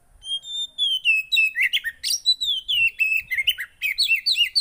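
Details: Javan white-eye song played to make a quiet bird sing: begins with a long thin high whistle, then a rapid, rhythmic chain of bright warbled and slurred notes repeated several times per second.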